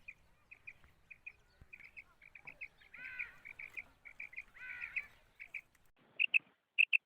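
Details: A female common quail, whose call is used as a lure for catching quail in Pakistan, gives soft, high, clipped notes, often in pairs, in quick bursts with a couple of harsher rasping phrases between them.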